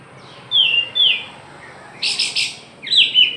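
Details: White-rumped shama of the Aceh type, singing in a frenzied, energetic way with its tail spread: clear, high, falling whistled notes, then a rapid buzzy triple burst, then more sliding whistles.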